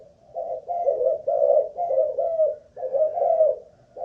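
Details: Spotted dove of Malaysian stock, a captive ground-lure bird under an endurance test, giving a nearly unbroken run of low, burry coos that rise and dip slightly, with brief gaps between notes.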